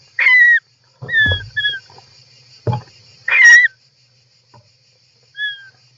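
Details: European roller nest interior, 18 July 2024, camera inside the nest box: scattered short falling whistles, a few paired, separated by dull thumps and scraping movements.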